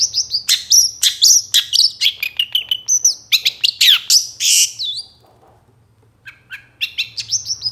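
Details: Energetic song of a moulting long-tailed shrike, meant to trigger singing in kept birds: tumbling high whistles, buzzy slurs and chattering notes in a dense stream, a brief pause, then softer mixed chirps.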